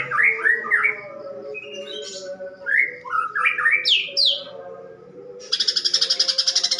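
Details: Caged greater green leafbird delivering a harsh-voiced fighting song filled with sparrow mimicry. Repeated swooping whistles climb and fall in bursts for about five seconds, then shift into a dense, rapid, rattling chatter.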